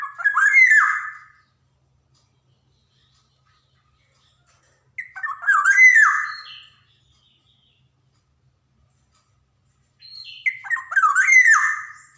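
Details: Javan golden oriole, black-naped oriole, in lively song as a lure for untrained young birds: three short liquid whistled phrases with squawky, slurred notes, each about a second and a half, repeated every five seconds with silence between.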